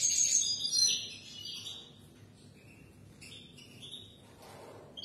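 A European goldfinch sings a fast, tinkling twitter of high, bright notes: a dense burst at first, then a few short liquid phrases after a pause.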